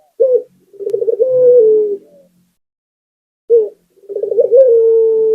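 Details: Local Barbary dove singing, meant to prompt other doves: clipped short coo, then a pulsing roll and long smooth low coo; after a silent gap the same pattern starts again.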